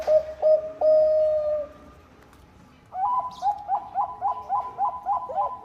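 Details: Bangkok zebra dove lure song to set off other doves: a few loud steady coos, a pause, then a quick series of short, slightly higher notes over a constant background hiss.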